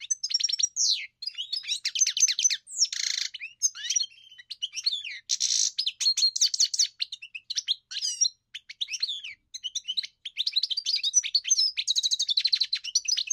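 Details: Long, rambling European goldfinch song mixing rapid metallic twitters, sweeping whistles and several dry buzzing phrases, running almost unbroken with only short gaps.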